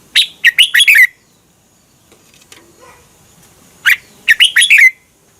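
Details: Red-whiskered bulbul in Thailand, song played to train or excite caged birds: two short phrases of about five loud, slurred whistled notes dropping from high to lower pitch, separated by nearly three seconds of quiet.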